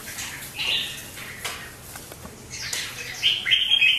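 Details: A red-whiskered bulbul in full competitive song pours out quick, bright whistled and chattering phrases in short bursts, ending on a run of clear high notes, with sharp clicks and rustles behind.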